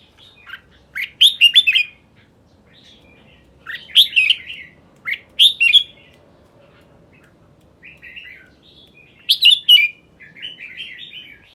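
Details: Red-whiskered bulbul delivering Tê Rơm Dị style song: lively bubbly warbled phrases of rising and falling whistles, about every four seconds, with softer chattering notes between, in a quiet setting.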